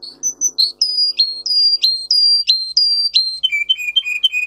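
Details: Song of a Russian singer canary bred for singing, played for training young canaries: clear whistled notes, several sliding downward, repeated about every third of a second, then a lower, quicker rolling phrase near the end.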